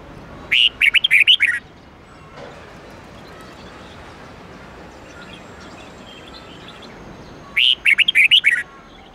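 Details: Caged-bulbul training recording of a red-whiskered bulbul: a quick series of about seven twisting whistled notes, a long quiet gap with soft background noise, then a second, similar rapid phrase.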